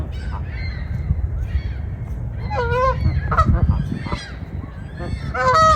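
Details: Geese chasing in winter snow, giving scattered nasal honks, some in quick doubled bursts, over heavy low rumbling noise and faint voices.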